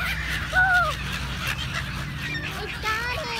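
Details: Gull calls stand out clearly: a loud arched, nasal mewing cry near the start, then further drawn-out downslurred calls, with other birds and a low rumble behind.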